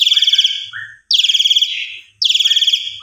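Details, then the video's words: Javan pied starling lure recording, meant for morning play to set silent or stressed jalak suren singing; loud buzzy, rasping phrases with a fluttering texture, repeated about once a second with short silences between. "Pancingan Luar Biasa - Semua Jalak Suren Macet Pundung Atau Stres Langsung Gacor"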